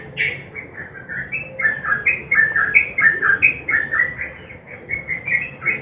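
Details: Sooty-headed bulbul 'nguklik' song combined with 'garuda' sounds as a lure to start silent birds singing: a continuous chain of sweet whistled notes rising and falling, roughly one and a half per second, over soft low hum.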